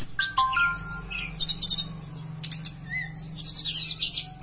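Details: Javan bush lark song used to trigger singing in other bush larks: a few pure whistled notes and short slurred phrases, then a dense high chatter, with a steady low hum underneath.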